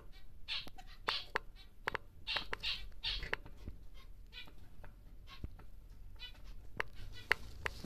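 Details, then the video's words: A large grey male zebra finch, caged for breeding, sings busy sequences of buzzy nasal notes packed tightly together, broken by frequent sharp ticks and clicks against a low hum. "BİG Zebra Finch (NG) Normal Gri Male"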